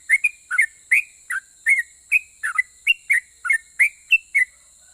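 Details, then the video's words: Yellow-vented bulbul in the long 'ropel' singing style, which provokes other bulbuls to respond: a brisk chain of sweet, slurred whistles, rising and falling notes alternating, over a steady thin high hiss. "KICAU SUARA trucukan gacor Ropel pajang ini RAJANYA BIKIN NYAUT trucuk lain"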